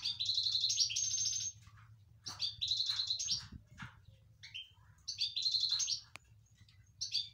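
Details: Excited European goldfinch singing inside a cage: bursts of bright, jingling twitters high in pitch, each lasting about a second or more, separated by short pauses, over a faint low hum.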